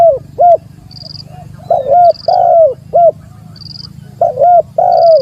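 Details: Challenge call of a spotted dove toward a rival, recorded as a lure: repeated soft coo phrases, each a short note, a doubled note and a long falling coo, with a brief thin high tone between phrases and low background hum.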